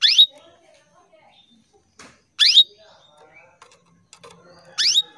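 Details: Female canary calling to males, a recording used to lure males into singing: three loud, sharp, rising chirps sweeping upward with a brief buzzy tail, spaced about two and a half seconds apart, with faint clicks and knocks between them.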